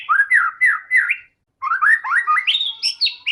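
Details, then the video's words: White-rumped shama in full song, used as a lure to get other shamas singing: rich, varied whistled phrases, slurred up and down, in a quick run, then a short pause and a rising, more elaborate series with higher sharp notes. "murai batu gacor AMPUH buat PANCINGAN murai batu agar bunyi JADIKAN burung murai yang lain BUNYI"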